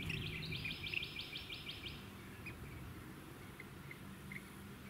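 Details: Rainbow bee-eater filmed on Bribie Island, Queensland, November 2018, giving a rapid string of about ten bright, burry trilled notes over one and a half seconds, followed by scattered soft chirps against wind and low suburban noise.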